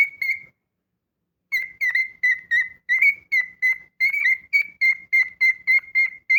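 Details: A pet cockatiel gives a short whistle, pauses for about a second, then whistles a quick run of brief, clear, even-pitched notes, about three each second.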